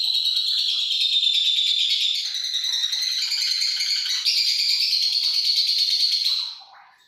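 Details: Lovebird giving its long ngekek chatter, used as a lure to set other lovebirds singing at night: a continuous, rapid, high rattling trill held for about six seconds with slight pitch steps, then fading out at the end.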